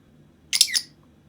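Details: A pet Masked lovebird playing with a new toy gives one brief, harsh, high squawk in two quick scratchy pulses in a quiet room; the bird is known to imitate its owner's sneeze.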